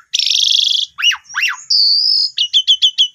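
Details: Caged Asian pied starling, newly bought, singing: a long buzzy trill, two sharp falling whistles, a clear level whistle, then five quick repeated chirps.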